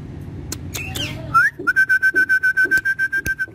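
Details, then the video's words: Indoor pet talking parrot: a few clicks and a rising whistle, then a rapid steady series of about fifteen short flat whistled pips, all at the same pitch. "So Clever Talking Parrot"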